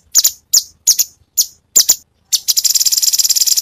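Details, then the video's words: Gacor cucak cungkok with tembakan variety: five or six separate sharp descending chirps, then a quick buzzing trill of rapid repeated high notes. "Cucak Cungkok burung masteran Full variasi Tembakan"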